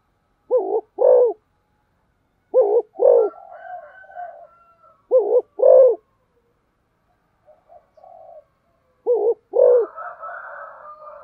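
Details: Spotted dove performing fast thúc gù cooing. Paired deep coos repeat about every two seconds. Softer whistling calls of other birds fill the gaps, growing busier toward the end.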